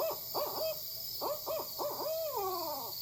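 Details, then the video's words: A female Barred Owl gives the famous who-cooks-for-you call, rhythmic rising and falling hoots each ending in a long, drawn-out descending vibrato that marks it as female, calling three times. "with the female calling, who cooks for you? The famous, most well-known call of the barred owl."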